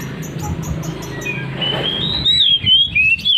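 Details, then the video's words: Oriental magpie-robin singing in a loud, persistent ngeplong style: after a noisy opening, clear whistled notes slide and waver high, ending in a run of linked rising and falling whistles over a steady background hum. "KACER NGEPLONG NGOTOT"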